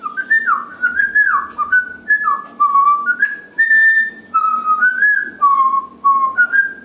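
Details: Pet African grey parrot, indoors, whistling a continuous tune: linked whistled notes stepping up and down in pitch, some sliding, with brief gaps roughly every half second, loud and clear throughout.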